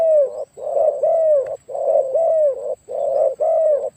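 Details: Spotted dove with a notably deep voice, kept for decoy luring, delivering rich continuous cooing in paired phrases about once per second, long coos with a faint overtone sweep on each.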